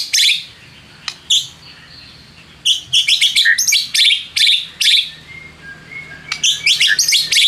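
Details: White-rumped shama song used as a lure to provoke rival shamas into singing. Sharp bursts of high chirps give way after a pause to a dense run of quick, rising and falling notes.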